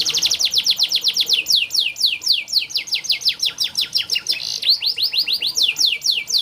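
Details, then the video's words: Canary song used to train canaries to sing: a long run of fast, clear descending whistled sweeps, about two per second, shifting into quicker rolling trills midway, over a quiet background. "Burung KENARI malas bunyi Terapi untuk burung kenari masteran canary"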